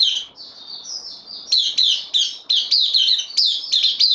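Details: Captive bulbul, new arrival on loan, 12 September 2020: soft warbling notes building into a fast, dense string of loud, high, down-slurred chirps, nearly three per second.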